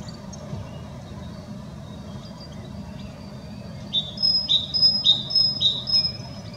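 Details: European goldfinch singing: after quiet traffic hum, a burst of paired short chirps begins, each a lower downslurred note followed by a thin higher whistle, repeated roughly twice a second.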